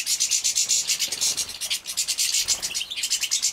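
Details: Captive-bred young European goldfinches being fed, Poland 2017: steady, rapid pulsing of shrill, buzzy high notes, about several per second, keeping up throughout with little change.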